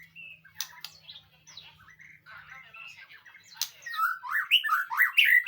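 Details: White-rumped shama training song meant to draw a reply; soft scattered whistles and chirps at first, then louder rapid swooping rising notes building toward the end, with a steady low hum underneath.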